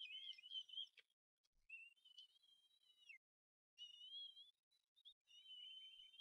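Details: Two self-feeding bald eagle eaglets at the Harrison Bay nest, 18 May 2015, crying when a parent delivers food. Faint, high, thin whistles come in wavering overlapping phrases with short gaps between them.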